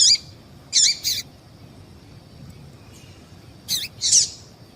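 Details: A female yellow-bellied seedeater calls to excite males before song contests; paired high chips open the clip, a quiet gap follows, then another close pair of bright notes.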